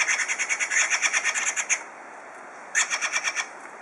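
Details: A pair of blue jays squabbling gives harsh, raspy notes in a fast run of about seven per second, then a pause and a shorter burst.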